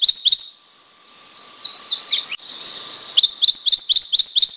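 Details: Prothonotary warbler (Protonotaria citrea) delivering a short series of slightly falling sweet notes, then a brief pause and a fresh run of sharp, evenly repeated rising notes, with a faint low hum behind.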